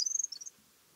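Corn bunting giving a high, rapid jangling trill of about eight pulses, then three slightly lower notes, all within half a second. Nothing else is heard.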